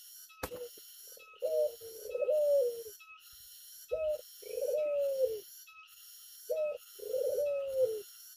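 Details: Tame Barbary dove outdoors in the open, giving low cooing phrases: a short clipped coo followed by a longer rolling coo that slowly falls, repeated about every two and a half seconds over a steady high-pitched whine.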